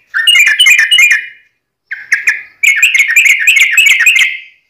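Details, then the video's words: Fighting-style wild rapid song, called tarung ngalas ropel, from a yellow-vented bulbul (trucukan): a chattering, warbled phrase, a short gap, a few brief notes, then a long, fast, bubbling run of jumbled notes. "KICAU SUARA trucukan gacor TARUNG NGALAS ROPEL"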